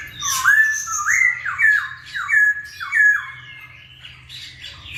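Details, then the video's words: Masked laughingthrush (poksay hongkong) in energetic gacor singing, played to provoke lazy birds into calling: a run of five loud, harsh, slurred notes about every half second, each rising then dropping, followed by higher squealing notes over a low background hum. "KICAU BURUNG POKSAY HONGKONG GACOR"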